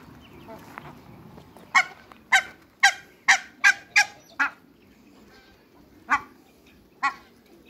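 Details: African geese meeting Muscovy ducks on a waterbird farm in Greece: a series of loud, harsh honks, seven in quick succession about half a second apart, then two more after a pause, over quiet background.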